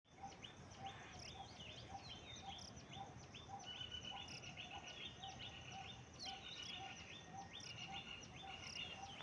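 Common myna chatter: busy runs of sharp, chirpy and whistled notes, repeated in quick bursts, over a low rumble and a steady repeated lower note.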